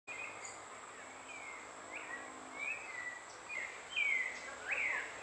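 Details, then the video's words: White-throated manakin giving thin, high, down-slurred notes around every second, growing louder toward the end, over a steady insect-like hiss. "Saltarín cuelliblanco"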